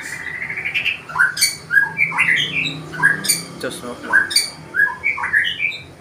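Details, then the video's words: Wild forest white-rumped shama singing to court a female: varied clear whistled phrases, short rising and falling slurs and sweet notes in quick bursts about every half second, with a few sharp clicks. "MURAI BATU HUTAN MERAYU BETINA"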